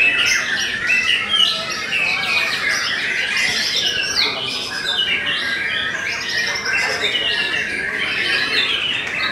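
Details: Belanda-type white-rumped shama in steady form, pouring out dense, rapid whistles and trills with sharp upward and downward slurred notes, delivered without pauses across the whole stretch.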